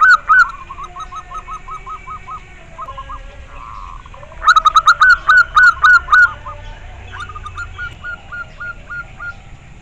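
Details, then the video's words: Local zebra dove cooing clearly: a run of soft rolling coo notes, with a louder burst of rapid purring coos around the middle, over a steady low background hum. "Suara perkutut lokal gacor jernih"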